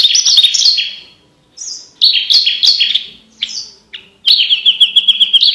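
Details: Loud, clear Javan bush lark song for tutoring competition birds: bright whistled phrases with stepped pitch changes, short pauses between them, and a final fast, even trill on one high note.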